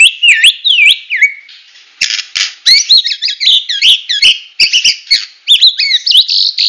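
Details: Full 'tembakan' song of a Medan White-rumped shama: high looping whistled notes repeated in quick runs, mixed with short noisy bursts and rapid chattering phrases.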